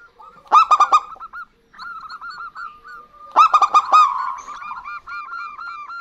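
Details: A local zebra dove pair, female and male, sings alternately. Two strong bursts of fast staccato cooing are each followed by trailing runs of lighter repeated coos.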